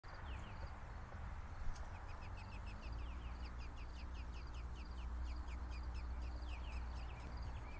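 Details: American robin nest in an apple tree in a garden: the male feeds the lone surviving nestling juicy insects. Quick runs of short, high, downslurred chirps repeat steadily throughout over a constant low rumble.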